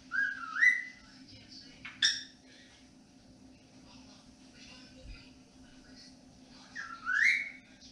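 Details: Indoor pet cockatiel in the evening giving a few slurred, rising whistles spaced several seconds apart, with quiet room noise between them.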